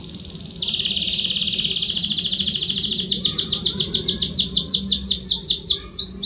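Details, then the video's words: Belgian canary singing loudly, the song meant to stir other canaries into singing: high ringing trill sliding lower into a long rolling run, then evenly spaced pulsed notes climbing to a higher pitch, a steady hum underneath. "Canário Belga Estourado esquente seu canário belga em 30 minutos"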